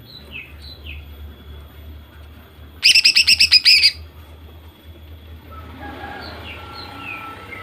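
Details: Greater green leafbird female calling to stir males into singing, one quick one-second run of about eight hard, repeated notes between quiet stretches with soft, faint high chirps in the background.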